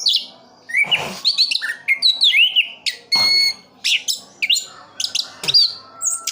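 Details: Orange-headed thrush kept in Sidoarjo, East Java, pouring out varied song of looping whistles, downward slurs and short harsh bursts, phrases spaced by brief gaps, with a faint steady hum behind.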